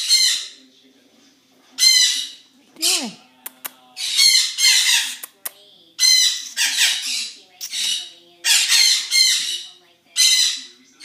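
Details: Zoo birds on a morning, calling with repeated harsh broadband squawks roughly every second, plus one short tonal whistle that rises then falls, and a few sharp clicks between calls.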